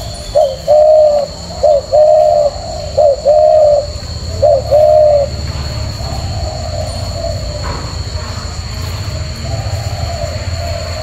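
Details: A captive male spotted dove gives three soft, mellow coo phrases, each a quick note leading into a longer coo, over a steady high whine and low rumble.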